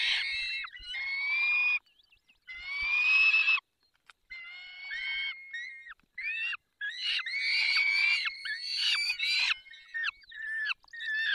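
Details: Peregrine falcon feeding in the Barycz Valley on 20 May 2021 at 10:22. High, squealing wails with upward-sliding notes mix with shorter harsh, choppy calls in a busy, excited sequence.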